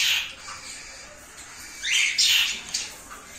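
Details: Indian ringneck parakeet pair, a turquoise-blue male and an albino female, newly paired for breeding, giving loud harsh screeches at the start and again in a rapid burst near the end.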